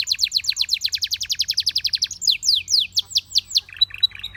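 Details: Canary rattling off a fast string of bright down-slurred chirps for two seconds, slowing into spaced swooping notes, then a short stuttering high figure.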